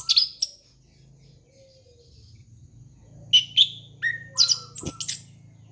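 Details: Orange-headed thrush song meant to lure young birds: a short burst of high chirps, a pause with faint low hum, then a run of sharp, varied whistled notes and a brief click.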